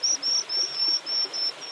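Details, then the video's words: White-throated dipper chicks in the nest in the Altai Mountains, Mongolia, call as a parent approaches with food in the morning: a rapid run of thin, high, hissy notes, about seven in under two seconds, over faint hiss. "You can hear the chicks calling each time one of them approaches the nest."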